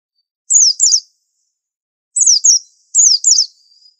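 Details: White-eye called 'super antik' in Indonesian, a master bird whose song must be unique: high, thin double chirps, each note sliding downward, given in three pairs separated by short silences, with a faint trailing whistle at the end.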